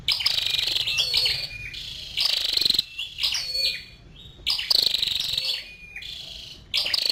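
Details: A female scarlet-backed flowerpecker repeats dense, high buzzy trills in bursts of about half a second, alternating with quieter wavering notes and short pauses.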